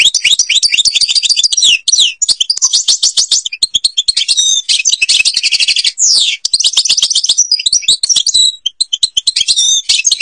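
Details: Algerian European goldfinch in full Babas forest style song: a loud, nonstop stream of metallic twittering, fast trills and sweeping slurred notes, with only very short breaths between phrases.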